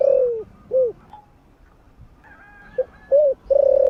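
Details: Spotted dove cooing in the morning, a call used to rouse other doves: warm, mellow low coos, a drawn-out note, a short rounded one, a pause, then three more coos, the last long and level.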